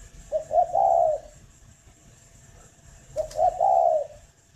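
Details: Spotted dove from a breeding farm in Ba Vì district, Hanoi, Vietnam, giving two low cooing phrases about three seconds apart. Each has clipped introductory notes and a smooth, sustained hoot, with a faint click between them.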